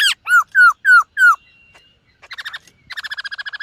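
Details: Morning practice song of a silver-eared laughingthrush: five loud arched whistles about every third of a second, a faint thin tone, then rapid pulsed buzzy chatter.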